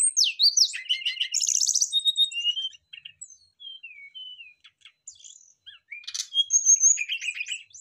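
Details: Counter-singing brown-chested jungle flycatchers deliver mimicked fill-in phrases: a busy opening of trills and whistles, then a quieter run of thin sliding notes, ending with another lively cluster of chirps and whistles.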